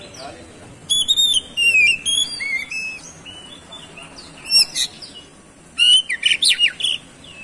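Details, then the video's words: An oriental magpie-robin delivers song used to provoke rival birds to sing: clear, high, slurred whistles sliding downward, then pauses and a final dense cluster of sharp chattering notes. "CUKUP DIPANCING SEBENTAR KACER MANAPUN LANGSUNG ON GACOR"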